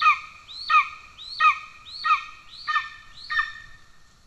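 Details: Golden eagle at the nest in Estonia on 17 July 2024, with the father carrying a pigeon. Five or six strident rising-falling squeals about 0.65 seconds apart fade gradually, over a faint low rumble.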